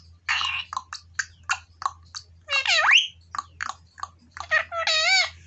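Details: Indian ringneck parrot kept in a village, producing a rapid string of short chattering clicks and chirps broken by wavering, voice-like phrases and a sharp rising whistle, over a low background hum.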